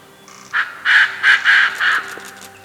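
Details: Koklass Pheasant calling from a dead tree near Chopta, Uttarakhand, in November, its female nearby: a harsh, crowing burst of about five loud, raspy syllables in quick succession over a low steady hum; the bird is named for this call.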